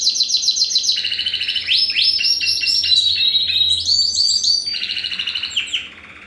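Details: Continuous loud song from a home-bred first-generation Spanish Timbrado x wild canary: rapid pulsed trills changing pitch and speed in successive rolling phrases, fading at the end.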